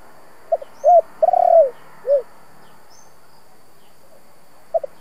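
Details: Spotted dove in the 'giọng thổ' luring voice: one complete phrase of a double clipped note, a short arched coo, a long vibrating coo and a dropping closing coo, then the start of another, with soft high chirps behind.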